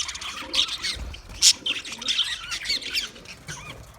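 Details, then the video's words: Budgies chirping, a loose mix of high tweets and warbled notes from several birds, with one loud sharp squeak partway through and light low bumps. "sounds of budgies chirping"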